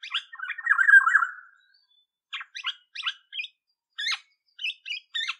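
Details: Olive-backed Oriole opening with a warbled, descending phrase, then a run of clipped, scratchy call notes spaced roughly every half second.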